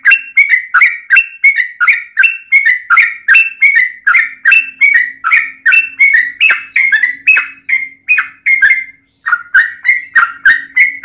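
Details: Fast, continuous yellow-vented bulbul fighting song in the 'ropel' style, played to provoke other bulbuls into singing. Liquid chirping phrases tumble out almost three per second with little break. A faint low hum runs underneath, and the song stops briefly near nine seconds.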